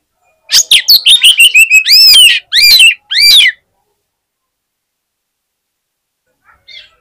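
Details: Oriental magpie-robin used as a contest fighter, singing to provoke other magpie-robins at the competition: fast grating notes running into three bold, looping whistled phrases, then a long pause with a faint final note.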